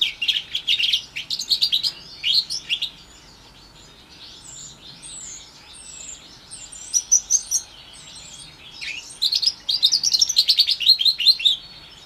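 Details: House finch and Timbrado canary hybrid (mule), orange/brown, about four months old, singing in 2021: rapid chattering phrases of bright warbled and twittering notes, with a quieter stretch of thin slurred whistles in the middle, then another burst of fast varied twitters.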